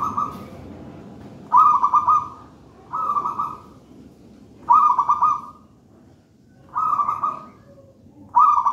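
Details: Zebra dove of local wild stock from a gedang rojo nest, singing steadily. Five bright, vibrating trilled coos, each under a second long, repeated roughly every one and a half to two seconds against a faint background hiss.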